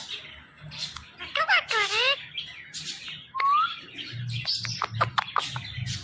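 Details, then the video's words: Ring-necked parrot talking: short chirps, then a loud harmonic chevron-shaped burst of mimicked speech, a rising whistled note, and scattered clicks and squeaks over a low background hum. "Ring Neck Talking Parrot |بولنے والے پیرٹ"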